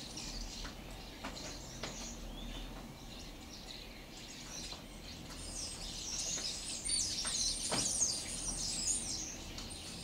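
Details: Several starlings in a kaki (persimmon) tree, recorded 12/07/12: faint scattered chirps early on, swelling into a busy stretch of high, squeaky chatter with thin whistles and rapid overlapping notes in the second half, over a low background hum.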